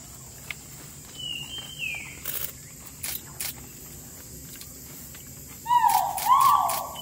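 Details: Great argus at Thung Chali, Phang Nga, March 13, 2019, in its habitat: a loud, rising and falling call near the end, after a thin whistle from another bird, with scattered clicks and insect hiss.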